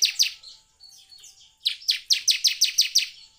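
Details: Bar-winged prinia song used to prompt other prinias to sing; a few sharp chips, softer twittering, then a fast run of about eight loud, identical high trilled notes in quick rhythm.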